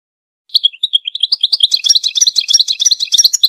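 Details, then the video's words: A European goldfinch sings a rapid, tinkling run of high chirps and twitters, about three notes a second, with no other sounds; the recording is meant to stimulate other birds to sing. "Goldfinch chirps"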